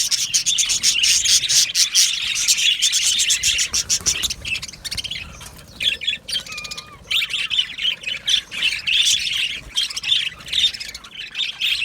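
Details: Australian budgerigars in an aviary colony, happy singing and chirping: dense, overlapping scratchy warbles and sharp chirps from many birds, a quieter patch midway with a few clear whistled notes, then the chattering swells again.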